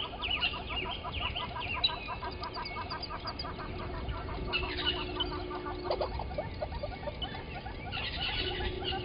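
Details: Yellow-billed and red-billed hornbills below the Gowrie dam waterhole camera, Djuma Game Reserve, Sabi Sand, South Africa, at 05:16 on 13 October 2020, give long, rapid, overlapping runs of hollow clucking notes, with thin whistles from other birds above.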